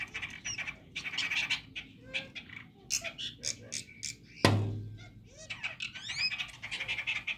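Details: Chestnut-tailed starlings together in the early morning giving rapid squeaky, buzzy chattering notes in short bursts, with one loud dull thump midway and a low background rumble.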